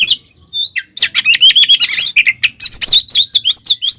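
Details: Oriental magpie-robin fighting song, used as a lure to provoke rival kacer; after a short quiet start, a fast jumble of sweet whistled notes, buzzy chips and rolling trills.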